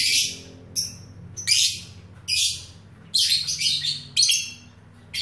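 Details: Training material of a lovebird fighter: loud, harsh, high screeching bursts about every second, some with descending scratchy notes, separated by brief pauses with a faint low hum.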